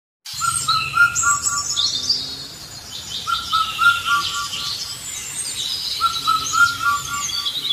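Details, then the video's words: An Indian cuckoo repeats its four-note whistled phrase roughly every two and a half seconds, over a busy chorus of higher, twittering songbirds. "Indian Cuckoo Call"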